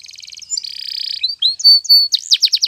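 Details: Spanish Timbrado canary training song: a rapid bubbling trill, a buzzy roll, clear rising whistles, then looping rising-and-falling sweeps in quick succession.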